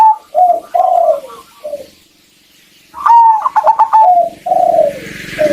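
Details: Local zebra dove hen calling to stimulate a male's singing. Low mellow rolling coos surround one bright phrase of rapid clipped notes. A steady hiss rises toward the end.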